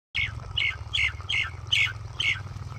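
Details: Common myna singing, a run of six short harsh chirped notes roughly every half second, each with a bright falling whistle around the upper middle, over a steady low hum.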